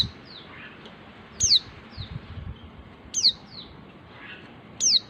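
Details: Female white-eye calling to the male, used to lure males that are reluctant to sing: thin high downslurred whistles about every one and a half to two seconds, with fainter softer notes between, over a low background hiss.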